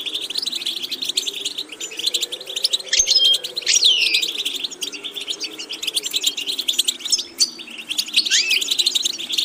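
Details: Continuous goldfinch twittering from a training recording: busy high chatter broken by a few downward-sliding whistles and buzzy notes, over a quiet wavering low tone.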